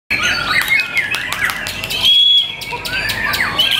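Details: White-rumped shama singing at a song contest on 5 April 2021: rich, fast, varied whistled phrases with sharp rising and falling notes, dense chattering and clicking throughout, and a brief pause midway.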